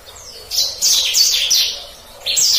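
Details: Short passage of black-throated canary song in the rolling gacor ngeroll style, used as a master for canaries: a series of high swept whistles, a pause, then a new bright phrase.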